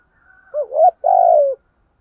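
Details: Cooing of a spotted dove, a voice used to excite birds being trained: a faint lead-in, then a warbling coo that bends upward, followed after a brief pause by one long, level, gently descending note.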